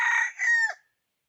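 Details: Decoy red junglefowl rooster used to lure wild fowl, recorded 6/1/2021: one loud harmonic crow under a second long, a sustained first part dipping briefly before a second, falling tail, against a quiet background.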